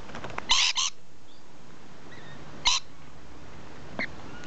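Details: Rainbow lorikeets perched in a tree give harsh, grating screeches: a loud double burst near the start, another single screech midway, and a fainter short one near the end, against a steady hiss of background noise.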